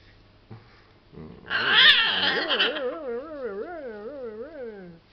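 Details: Pet macaw in a small room, playing with a favourite towel, starting with a burst of loud harsh squawking that turns into a wavering, warbling tone rising and falling about once a second.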